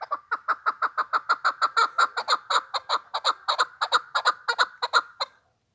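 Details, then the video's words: Chukar partridge calling loudly in a steady rhythmic chuk-chuk series, about three harsh, ringing notes per second for five seconds, then stopping abruptly in a quiet setting. "овози кабк куропатка кеклик"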